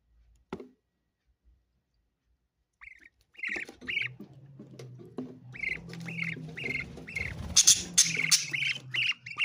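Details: After a few near-silent seconds, budgerigar chatter builds into a run of quick squeaky chirps, repeated rapidly and growing louder and busier toward the end over a low hum.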